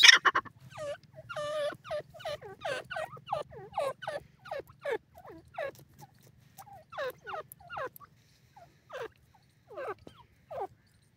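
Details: Grey francolin chicks in the wild, calling eagerly to their parents: a quick series of short, downward-slurred peeping notes, some in tight clusters and some spaced by pauses, over a steady low hum.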